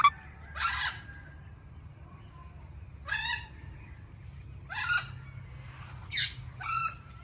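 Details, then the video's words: Indian ringneck parakeet calling in harsh, raspy squawks, five short bursts spread over several seconds with quiet gaps between, low hum beneath. "Indian Ringneck Parrot Natural Sounds"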